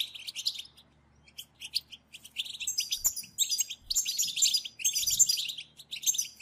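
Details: A chorus of European goldfinches meant to trigger singing in other goldfinches: an opening twitter, a quiet spell, then scattered chips that swell into rich, overlapping, jingling chatter from about two and a half seconds on.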